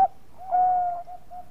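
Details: Bangkok-strain zebra dove, a lure recording to set other doves singing: a brief clipped note followed by a long, even, held coo at a steady pitch, then two soft trailing coos.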